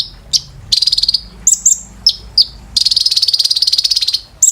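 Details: Olive-backed sunbird (kolibri ninja) training song for cage birds, high-pitched: a buzzy trill, a few thin whistled chips, then a sustained rapid trill over a second long.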